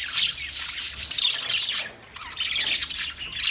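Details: Budgies, 9 March 2024, keeping up a lively stream of high chirps, squeaks and buzzy warbles, dipping for a moment before picking up again.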